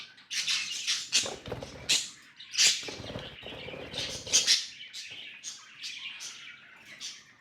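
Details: Budgies chattering with quick scratchy high chirps and sharp ticks, interrupted by low thuds and rustling, possibly cage movement.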